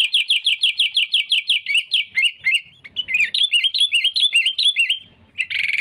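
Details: Sooty-headed bulbul singing to provoke rivals for trapping: a fast, regular string of bright hooked notes that turns into bouncing looped whistles, ending in a short buzzy burst.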